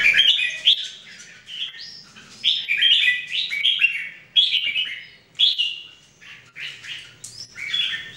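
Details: Red-whiskered bulbul singing practice, three birds trained daily in 2018: a run of clear, bubbling whistled phrases, each a quick cluster of liquid notes, repeated about every second with short gaps, against a quiet background.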